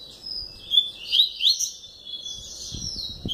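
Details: Captive double-collared seedeater sings a run of three sharp rising whistles, then softer warbled and buzzy notes, with light knocking noises late in the phrase.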